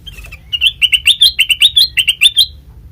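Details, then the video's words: Sooty-headed bulbul call used as a lure to draw a reply from untrained birds: a fast, lively string of about a dozen sharp chirps that rise and fall, delivered in under two seconds over a quiet low hum. "Suara khas Pancingan Kutilang Bahan,Cukup 1Menit Nyaut"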